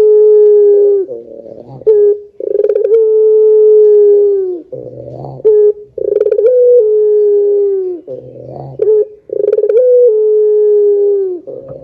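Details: Barbary dove in long drawn-out pelung style, used as a lure to set other doves calling: low steady coos, each opened by a rolling burr, recurring about every three to four seconds with short stuttering notes between.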